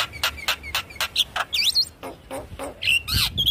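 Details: Javan myna song used to prompt quiet birds into steady singing: a quick run of harsh rasping notes about four per second, then squeaky upward-sweeping whistles and scratchy chirps.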